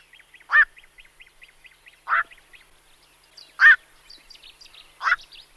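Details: Black-crowned night heron giving four loud, harsh, croaking calls about one and a half seconds apart. Faint, thin chirps of small birds fill the gaps.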